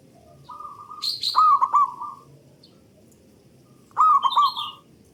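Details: [4, 'Local zebra dove singing as a lure for other doves: two short phrases of quick, burry cooing, each bending into a rolling flourish, separated by a pause, with a brief high chirp between.']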